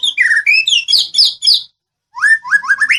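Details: White-rumped shama of the Medan type, a master song meant to make other birds answer: rapid runs of sliding whistles and bright chirps, a short silence, then rising whistled notes repeated quickly.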